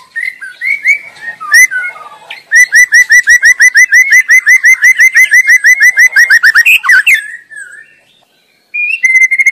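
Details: Wild white-rumped shama singing energetically: a few sliding whistles, then a long, very fast run of repeated clipped notes lasting about four seconds, a falling slur, a pause, and a new burst of rapid notes.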